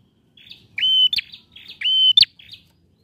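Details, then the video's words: Male bar-winged prinia song played to prompt a quiet bird to sing: two phrases, each a soft buzzy lead-in, a flat piercing whistle and a harsh clicking burst, then a brief buzzy tail. "PRENJAK JANTAN GACOR"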